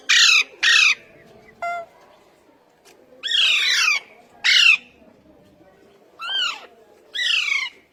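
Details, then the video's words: Talking Indian ringneck parakeet said to speak Urdu and Hindi. Two quick loud harsh notes, then a short clipped sound, followed by several spaced squawky phrases with downward-sweeping harmonics, each separated by brief silences. "Best Ringneck Talking Parrots | Urdu Hindi Bolne Waly Behtreen Talking Parrot"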